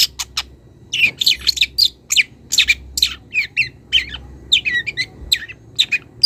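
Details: Young wild long-tailed shrike calling a rival, starting to reveal mimicry: a busy mix of sharp chirps, rising and falling whistled notes and rough bursts delivered in rapid, uneven succession.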